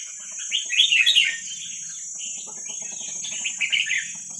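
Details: Wild Vietnamese red-whiskered bulbul chicks sing, played to train young birds: clusters of quick, rising and falling warbled notes in two bursts, with a steady high-pitched hum and faint low rustling between them.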